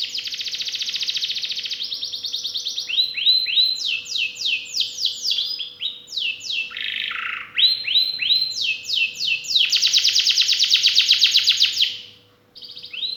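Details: Canary in full song, the ornate cengkok istimewa style with rich isian mewah phrasing. Long buzzy trills alternate with series of bright upslurred whistles and a dipping slurred phrase, continuous and high-pitched over a faint steady hum.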